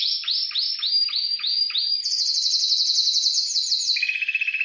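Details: Timbrado canary singing: a run of about six rapid downward-sweeping whistled notes, then a fast continuous high rattling trill that drops to a lower, pulsing trill near the end.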